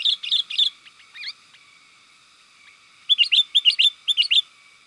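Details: Chattering sooty-headed bulbul used to rile up wild birds: a rapid cluster of bright notes, a few thin scattered chirps, a long pause, then a fresh burst of sharp, bouncing notes.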